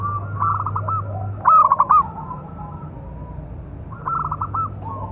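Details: Zebra dove, local type with a big voice, song used to train and provoke other doves: one loud pulsed coo phrase in the middle, fainter stuttered coos before and after, low hum underneath.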